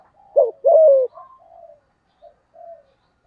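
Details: Spotted dove cooing to goad a rival male: one short coo and a longer falling coo, followed by several soft, trailing coo notes fading out.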